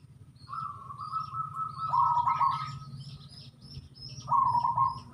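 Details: Native wild zebra dove song: a long, even rolling coo swells louder midway. A second shorter trilled coo follows. Thin high chirps from other small birds and a low steady hum run underneath.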